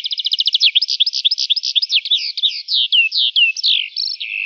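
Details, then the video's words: In an open wheat field a lark sings, starting with a fast rattling series of clipped notes that gives way to longer sweeping, downslurred whistles and rich warbled phrases. "Lark Singing In An Open Wheat Field"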